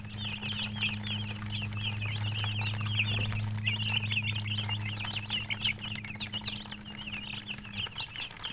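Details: Colored chickens give a fast, dense run of shrill peeps, roughly three per second each, over a steady low mechanical hum that drops out near the end.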